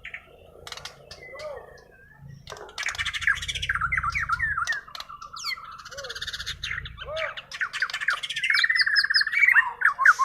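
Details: White-rumped shama of Kalimantan, with a natural song not taught by tutor birds: scattered notes and clicks build into a rich mix of rising whistles and high chatter, growing louder toward the end.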